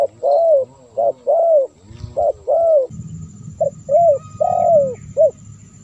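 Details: Spotted dove calling, recorded as a lure for wild doves: a run of short notes and longer arched coos in repeated phrases, with a low rumbling hum entering in the second half.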